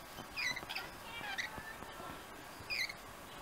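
Scaly-breasted lorikeet giving three short, shrill, rasping screeches about a second apart, with softer chatter between them over steady background hiss.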